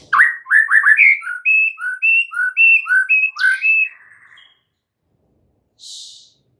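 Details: White-rumped shama singing in the morning: a run of clear whistled notes with rapid rising phrases at the start, then evenly spaced slurred whistles about twice a second, ending in a buzzy trill, followed by a brief high hiss.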